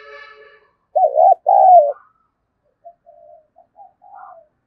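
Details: Spotted dove cooing, a recording played to stimulate doves to coo faster: a soft rasp, then two loud wavering low coos near one second, followed by faint, quieter coo fragments.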